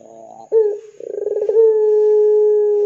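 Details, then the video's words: Ringneck dove, 'gacor dor' style lure call meant to set other doves calling: a short low note, then a fast rolling stutter that runs into a long, level, hollow coo held to the end. "Pancingan Suara Burung Puter Gacor Dor 100% Cocok Bikin Puter Lain IKUTAN BUNYI"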